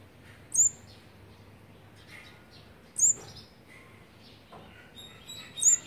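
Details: Olive-backed sunbird nestlings of the fourth brood on their eighteenth day of being fed, 8 March 2020: three sharp, very high, brief chirps spaced about two and a half seconds apart, with faint softer twitters between them.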